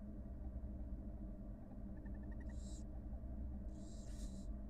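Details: Wild barn owl nest with a mother feeding two just-hatched nestlings: a faint run of tiny high ticks, then two rough, breathy hisses, the second longer, against a steady low droning hum.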